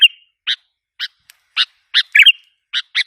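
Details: Sooty-headed bulbul lure call meant to provoke wild birds: spaced single sharp chirps roughly every half second, broken by one brief rolling double note, on a quiet background.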